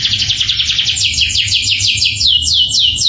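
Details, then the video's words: Canary song with 'tembakan' shot-like phrases: a rapid series of high, sharply descending notes repeated about twice a second, growing louder toward the end, over a low background hum. "Roll & tembakan kenari mantap"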